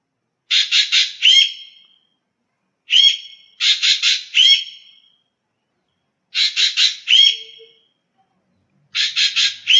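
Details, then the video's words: Common green magpie calling: bursts of three or four harsh rasping squawks followed by a rising whistled note, in groups spaced two to three seconds apart, clean background. "Tiếng chim Thanh Loan/ Giẻ cùi xanh/ Common Green-Magpie/ นกสาลิกาเขียว"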